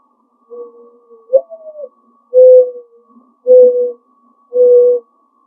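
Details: A mourning dove in a backyard, calling from a tree and then from a shed, gives its soft, low, hooting coo: a rising, wavering first note followed by three steady hoo notes about a second apart.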